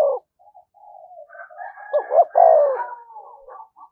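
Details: Spotted dove "thúc gù" coo used as a lure: scattered soft low notes build to a stuttered pair and a full descending coo, with a thin whistled tone sliding alongside near the end.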